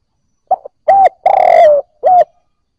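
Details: A single cooing phrase from a spotted dove, used to spur newly caught birds into calling: quick note, smooth coo, extended throbbing coo falling in pitch, final coo, quiet surroundings.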